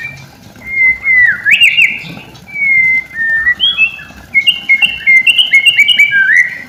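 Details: Used as a lure to prompt silent shamas to sing, white-rumped shama song of clear sustained whistles, slurred up and down, followed by a faster run of short ringing notes.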